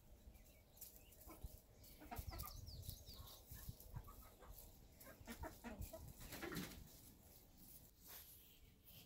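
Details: Chickens on the prairie making bursts of short, clucking calls at irregular intervals. Soft, higher chirps of other birds are heard behind them, over a steady outdoor background.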